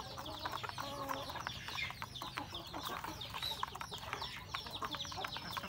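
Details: Backyard rural flock of roosters and a hen at their morning feed, with rapid overlapping clucks, light pecking clicks and thin high peeps over a faint low drone.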